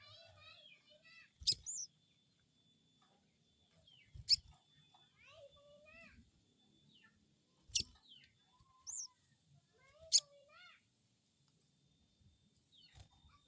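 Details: Crested jay (sogon) crecet call, a lure for getting a newly caught bird to answer: harsh, explosive high snaps every two to three seconds, mixed with varied thin whistles and chirps of other birds.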